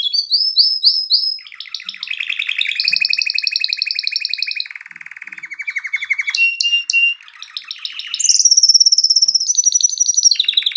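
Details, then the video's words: Canary in full song, a continuous run of rapid trilled tours: high fast trill, then lower rolling rattles, a deep buzzy roll, a brief pause, and a very high sustained trill at the end. "کنری مست/خواندن کناری مست/قناری با صدای عالی/KANARYA sesi"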